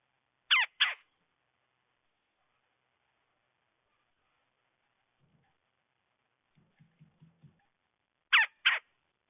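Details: Wild red-bellied woodpecker giving a harsh, rolling churr doubled into two quick notes, repeated after about eight seconds; faint low soft taps sound in between.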